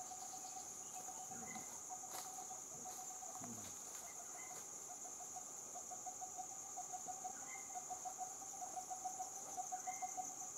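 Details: Coppersmith barbet giving a long run of low, hollow, evenly spaced notes at one pitch, about one per second, under a steady high-pitched insect buzz with occasional short chirps from other birds.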